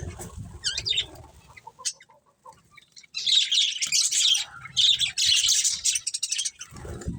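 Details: Budgerigars in a colony with a breeding pair: a few sparse high notes and rustling, then two loud bursts of rapid, buzzy chattering chirps, ending with low scuffling.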